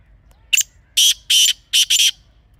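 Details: Black francolin (kala teetar), Pakistan, wild surroundings: one sharp short note then four harsh rasping notes in a quick paired rhythm, clear and loud against faint ambient hum.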